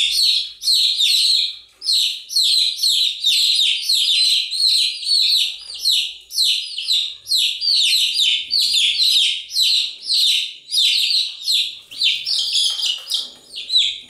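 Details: A brood of chicks chirps continuously, a steady chorus of piercing, down-slurred peeps in quick overlapping waves, roughly two pulses a second, across the whole stretch.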